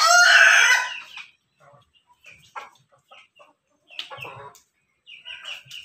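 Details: A Pelung and Ketawa crossbred chicken gives a loud, harmonic crow lasting just over a second at the start, followed by quieter scattered chirps and clucking sounds.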